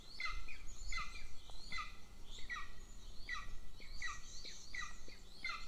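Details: At a golden eagle nest in Northern Estonia, the little chick begs as its older sibling is fed by the mother; high chirps come in quick pairs and short bursts above a constant low-frequency hum.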